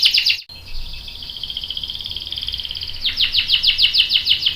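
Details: Canary rolling song ('ngerol') while a young male joins in: a short trill, then a long, softer rolling trill, breaking into loud downward-slurred notes repeated several times a second.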